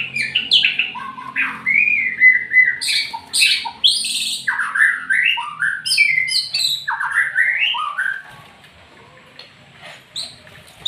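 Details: Bowing-style white-rumped shama delivering a rich, varied song of loud slurred whistles, upswept and downswept notes and sharp high chips in fast succession, fading to quiet near the end.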